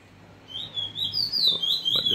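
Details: Short burst of Bullfinch roll in free-singing style: a bright, high warbling phrase that climbs and dips, following a moment of near quiet, with a light knock near the end.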